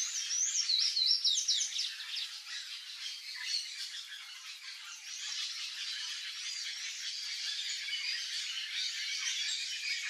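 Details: Palm tanager (Thraupis palmarum) giving fast, thin, squeaky twitters in the first seconds, followed by steady high chattering and a busy background of other birds.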